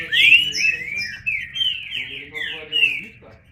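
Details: Green-winged saltator, known in Portuguese as trinca-ferro, shown singing: a continuous run of rich, slurred whistled phrases, rising and falling, with a faint lower voice or hum beneath and a short break midway.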